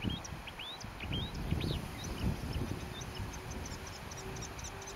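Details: A Marsh Warbler sings at 22:00 on 9 June 2015 in Briollay, Maine-et-Loire, France, a fast, varied stream of short whistles, slurred upsweeps and chattering notes, over a low rumble and a thin high tone.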